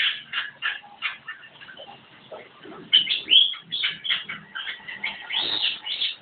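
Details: Vigorous Javan myna song made of rasping chatters and squeaky whistles in rapid irregular bursts, with louder strident phrases toward the middle and end.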